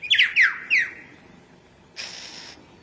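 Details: An Australian forest bird, the lyrebird, gives three harsh, squawky notes that slide downward in quick succession, followed by a brief burst of hissing, rasping noise.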